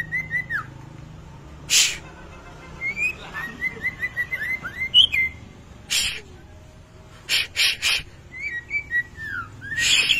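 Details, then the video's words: White-rumped shama singing vigorously in the kretetan style for a training lure: quick series of short descending whistled notes, repeated in bursts, with several sharp loud clicks between phrases. "masteran pancingan kretetan burung murai batu gacor"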